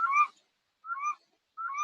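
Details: A breeding Red-throated Loon on a freshwater marsh or pond on Attu, Aleutian Islands, Alaska, gives a low, guttural growl of three short rasping calls about every three-quarters of a second, with no other sounds.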